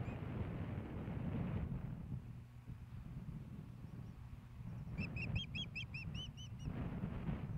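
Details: Ospreys at a nest in Hellgate Canyon, Missoula, Montana, on 15 May 2016, as the male delivers a fish to the female. A rapid series of high, whistled chirps, about four per second, rises over loud low wind rumble.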